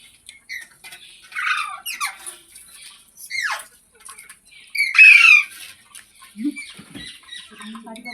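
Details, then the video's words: Green parrot giving harsh, sweeping squawks with bright harmonics, several drawn-out descending calls and one loud burst near the middle, separated by short quiet gaps. "Green Parrot Sounds"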